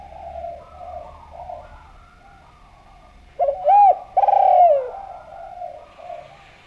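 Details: Spotted dove giving a lure call to prompt other doves: faint distant coos, then a loud close coo, a brief rounded note followed by a long, slightly falling one, with steady low hum behind.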